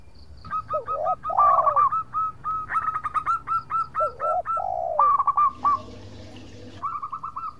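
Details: Local zebra dove in full song, kept as a lure to provoke rival birds into answering: rapid runs of short, evenly pitched cooing notes interleaved with lower, rolling, slurred coos, and a brief burst of rustling noise near the end.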